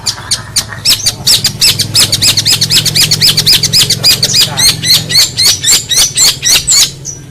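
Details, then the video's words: Long-tailed shrike song from a master recording for teaching songbirds: a rapid, uneven chatter of high squeaky upslurred notes and sharp clicks, very dense and lively, easing slightly near the end. "Masteran cendet"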